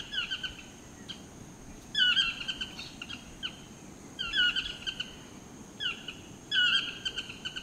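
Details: Displaying chestnut-mandibled toucans in Costa Rica give loud, yelping, nasal phrases of several notes about every two seconds over a low background rumble.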